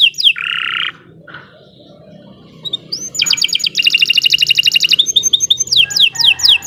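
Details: Canary in long continuous song used as a master: downslurred notes, a buzzy low burst, a quiet gap, then a dense fast trill and a series of slurred whistles.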